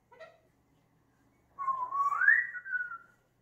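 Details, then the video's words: Talking pet African grey parrot indoors giving a long whistled phrase that rises and then falls, preceded by a short soft note, with a quiet room around it. "Loro yaco Elvis dice !!! que asco!!!!!"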